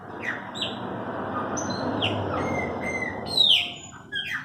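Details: Owned Chopi blackbirds singing short downslurred whistles and flat clear notes in quick succession, ending in a louder bright phrase, against steady broadband background noise.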